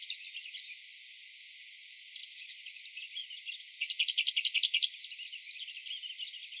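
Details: Grey-breasted prinia singing in the morning: after soft, evenly spaced high chirps, a fast series of sharp, high, ticking notes builds and grows louder midway, then continues as a quieter rapid high twitter.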